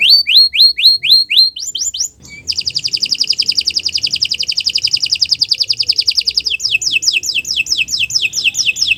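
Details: Canary singing in the morning, song meant as a master recording for training other birds: repeated falling whistled notes, then a long rapid buzzy trill, followed by quick descending slurred notes.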